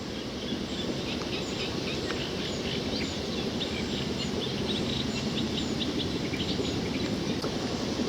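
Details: Plenty of sedge warblers at an old mill pond near the River Whitewater and Basingstoke Canal, Hampshire, 28 June 2019, sing a fast, restless chatter of short scratchy and sweet notes, several per second, over a steady low rumble of wind.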